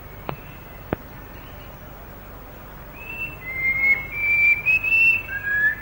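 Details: Rainforest in Malaysia, late 1950s to early 1960s: after two dry clicks and a pause, a plain babbler bursts into loud, pure whistles that rise and waver, with brief chattering breaks between notes.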